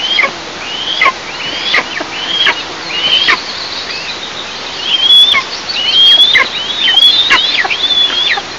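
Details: Eastern imperial eagles at their nest, seen by a nest camera, 11 July 2024. Repeated high whistles with downward-plunging ends come in an uneven series that grows busier and more overlapping toward the end.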